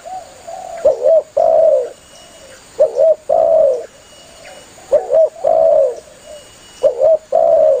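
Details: Spotted dove calling companions, recording meant for dove hunting: four steady low cooing phrases of a double note then a long falling coo, roughly every two seconds, with quieter coos between them.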